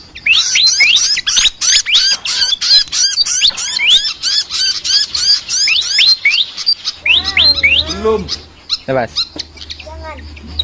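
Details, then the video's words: Chattering flycatcher (sikatan) song, called unique: about six seconds of rapid, sharply rising high chirps in quick succession, then a quieter stretch of lower, wavering swooping notes over a faint low hum. "BURUNG SIKATAN NGOCEH TER UNIKK"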